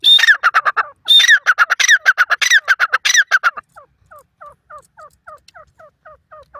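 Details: Young grey francolin chicks in their first forest days: loud, close, squeaky peeps with shrill high overtones for three and a half seconds, then softer, evenly spaced downward peeps from a more distant chick.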